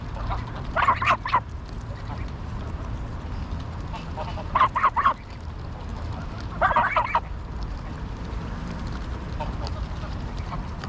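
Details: Greylag geese at Pearson Park, Hull, England, 22 August 2021, GoPro Hero9 camera. Three separate bursts of clustered, nasal honking, spaced about three seconds apart, with steady low background noise between them.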